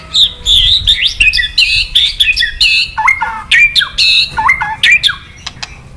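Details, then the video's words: White-rumped shama, a male provoked to sing by kretekan calls, pours out a dense, fast song of high whistled notes, sharp clicks and downward-slurred phrases, with a low rumble underneath. "Suara KRETEKAN BURUNG MURAI BANGKITKAN EMOSI MURAI JANTAN KELUARKAN ISIAN! MURAI DIAM JADI NYAUT"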